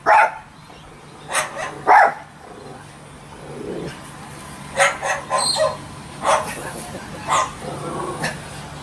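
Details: A pet cockatoo imitates the barking of a family dog at home on January 30, 2013. It gives about nine hoarse, dog-like barks, single or in quick pairs, spaced irregularly over nine seconds against a faint steady hum.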